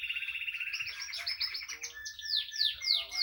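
A female Spanish timbrado canary sings a fast, rolling trill that breaks into bright rising whistles and sweeping chirps, all high-pitched and rapid.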